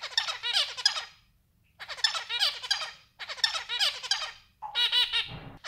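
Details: A white zebra finch sings short bursts of buzzy, nasal notes, repeated after brief pauses.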